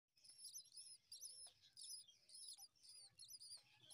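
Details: Common myna chicks begging as their mother feeds them worms at the nest give shrill, raspy, hissing chatter in bursts about once a second, high-pitched and insistent, with faint low background noise.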